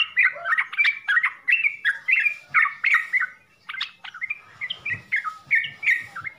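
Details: Trucukan, the yellow-vented bulbul, singing full-isian song. Its bouncy, evenly spaced chirped and whistled phrases, about three per second, are clear at first, then become softer and more scattered.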